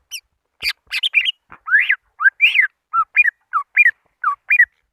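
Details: Greater green leafbird lure call to summon rivals: sharp chips, then rising-and-falling whistled notes repeated roughly twice each second, clear and uncluttered.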